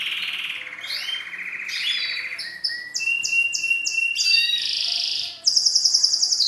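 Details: Male canary singing to a female to court her and bring her into mating posture: varied high song with buzzy trills, repeated descending whistled notes and a sharp metallic rattle at the end.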